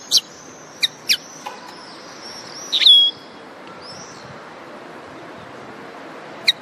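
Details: Common linnet song: scattered sharp high chirps and one slurred whistled note descending near the middle, separated by long quiet gaps over a steady low hiss.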